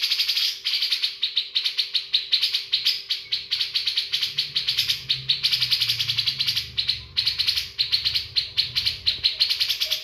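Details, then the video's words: Caged bearded bulbul delivering a long, busy song of fast repeated chirps and whistled phrases, with a low rumbling background noise in the middle stretch. "Cucak jenggot isian Mewah"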